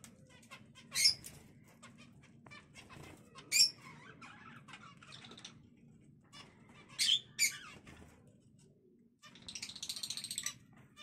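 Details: Zebra finches kept at home in a small breeding cage, giving loud, harsh, nasal calls spaced a few seconds apart, three sharp bursts, followed by a softer buzzy rattle near the end, with faint rustling between.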